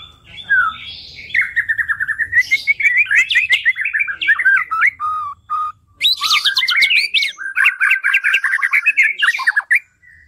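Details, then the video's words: White-rumped shama song: a long, rich run of fluty whistles, chattering trills and quick, varied notes that rise and fall. A short pause comes midway, and a faint low hum lies underneath. "OCEHAN MURAI BATU"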